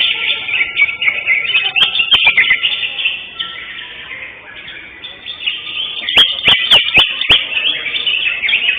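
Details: Greater green leafbird in a caged singing competition, contest winner on 11 October 2025: bright warbled phrases, a quieter passage midway, then loud sharp clicking notes as the high chatter resumes.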